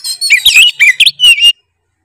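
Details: Oriental magpie-robin in full loud ngeplong song, meant to agitate other magpie-robins: a rapid, rich burst of warbled whistles and scratchy notes ending in a level whistle, then silence.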